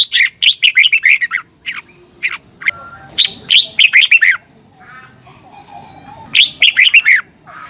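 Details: Red-whiskered bulbul morning fighting song, meant to trigger singing in other birds: busy strings of quick, descending, bright warbled notes in several bursts, with a faint steady high tone in the background.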